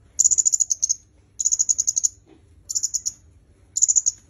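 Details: Shrill, fast-pulsed ticking from a red-headed myzomela, meant for training songbirds, delivered in four bursts of roughly eight to ten notes each.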